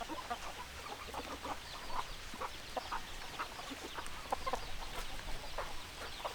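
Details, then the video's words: Hens clucking in a group: many soft, short clucks overlap in a busy, continuous chatter, with no single bird standing out, over a faint hiss of background noise. "Chicken Sounds Noises Hens Clucking Roosters Crowing"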